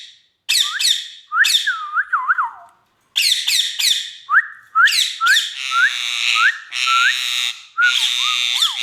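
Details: Male Indian ringneck parakeet, kept as a pet, giving a series of shrill harmonic calls and short whistled upslurs and wavering notes in bursts, with brief pauses between phrases.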